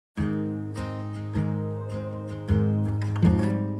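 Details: Strummed acoustic guitar music plays throughout, with no animal sounds.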